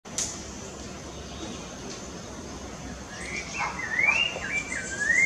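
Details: In Parque da Chacrinha, Rio de Janeiro, in October 2019, a Rufous-bellied Thrush sings clear, fluty, slurred and rising whistled phrases in the second half after a quiet start, over a steady background hiss.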